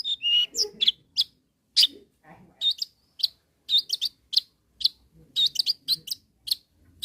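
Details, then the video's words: Long-tailed shrike calling to rivals: clipped, high chirps and short harsh notes, delivered singly and in quick pairs at irregular intervals, with a brief whistled slur at the start. "SUARA BURUNG CENDET GACOR MEMANGGIL LAWAN"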